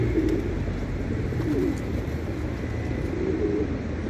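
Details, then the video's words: A male pigeon gives low, soft cooing notes, about three throaty coos spread over four seconds, against a steady hiss of background noise. "Male Pigeon Cooing Sound"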